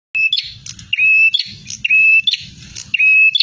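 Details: Bar-winged prinia singing aggressively and in full song: a steady whistled note alternating with buzzy, scratchy bursts, the phrase repeated about once a second, over soft low thumping.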